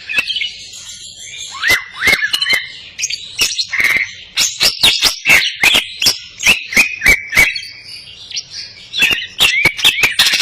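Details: Greater green leafbird in full vigorous song, crest up, song laced with cililin phrases; quick series of hard clicks alternating with warbled whistles, clicks repeating roughly two per second through the second half.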